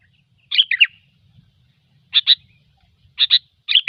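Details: Sooty-headed bulbul giving gecor song as a trapping lure: a chattering warbled phrase, then paired short whistled notes repeated about once a second, lively and bubbly.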